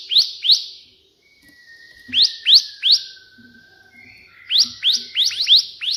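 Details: Bar-winged prinia, busy 'tembakan' burst song resembling the white prinia, offered for tutoring: spaced pairs of bright upslurred chips building to a fast run, over faint thin whistled tones.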